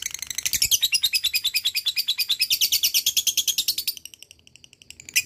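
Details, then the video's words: Ngekek song of a lovebird, played to coax silent lovebirds into singing: a sustained shrill rapid rattle of harsh high notes running nearly four seconds, fading to softer chips before a final loud burst. "LABET ngekek gacor jeda rapat,solusi pancingan lovebird malas bunyi"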